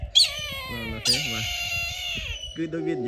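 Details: Several Brahminy kites in the mountains, seeming to answer one another, give long, wheezy, drawn-out wailing cries that slowly fall in pitch, much like a crying child; a man talks over them.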